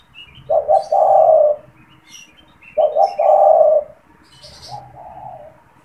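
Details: Caged spotted dove that calls often, especially when people come near its cage, kept to lure wild doves. Two clear cooing phrases, each two short notes then a long mellow hoot, followed by a fainter third phrase. Thin high chirps from other birds are heard.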